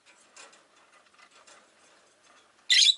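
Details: Low chatter and faint background murmur, then one loud rasping screech at the end, from a cage of five Rosy-faced lovebirds set beside a window.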